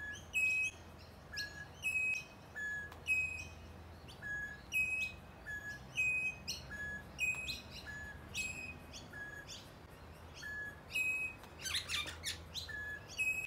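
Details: Rainbow lorikeet (Trichoglossus haematodus) in eucalyptus in Melbourne's eastern suburbs whistles short, clear notes about once a second, switching between higher and lower pitch, with a brief harsh burst near the end.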